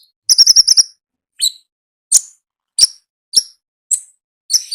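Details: Energetic konin song from the wild. A quick trill of high chirps is followed by single sharp, very high notes repeated roughly every half second.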